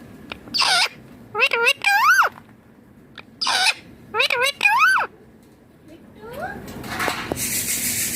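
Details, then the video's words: Indian ringneck parakeet said to talk in Hindi. Several rising-and-falling squawky phrases in two clusters, then quieter chirps and a rushing hiss at the end. "Ringneck Green Parrot Talking Hindi More || Baatuni mithu bahut baat kar raha hain"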